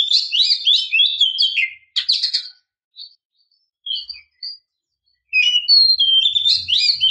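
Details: Female oriental magpie-robin luring a male with a rapid chattering warble of high twisting notes, brief scattered whistles after a pause, then another dense warbled burst over a faint low hum.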